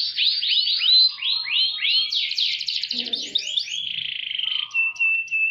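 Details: Canary singing an ornate song: fast falling and rising notes, then a buzzy trill, a rapid rattling roll and sustained level whistles, with a faint low murmur in the middle.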